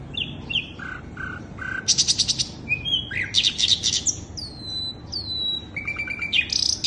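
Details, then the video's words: Sikatan londo flycatcher song for attracting birds: short flat whistles, harsh buzzy trills, clear down-slurred whistles and fast chattering notes in a varied, energetic sequence. "Pancingan burung sikatan londo"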